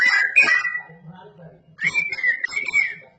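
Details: Cucak rowo, the straw-headed bulbul, in loud, lively song: a bright burst of warbled whistles, a softer gurgling pause, then a sweeping, bubbling whistled phrase, with a steady low hum behind.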